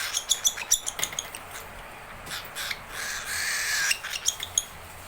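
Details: Young cockatiel crying out in hunger for its keeper: quick high chirps at first, then rough, breathy rasping wheezes, with more chirps at the end.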